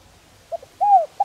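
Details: Spotted dove (cu gáy, cu đất) giving a gentle calling coo, used to stimulate decoy doves and lure wild doves for decoy training: two soft short notes, then a longer clear falling coo and the start of another.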